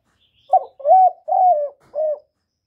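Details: Decoy spotted dove giving a crisp four-note coo: a short opening note, two long flat ones and a shorter closing note, each low and hollow, against silence.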